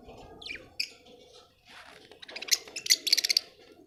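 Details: Budgie chatter: a few rising chirps, then a rapid run of bright, high, clipped notes repeated in quick succession over a faint warbling background.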